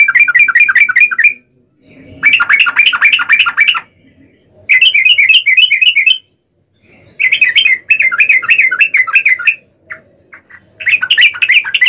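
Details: Energetic yellow-vented bulbul song in the long rolling style, meant to lure other bulbuls into answering. Four bursts of fast, bubbly chattering notes are separated by short silences, and a few single chirps fall between them.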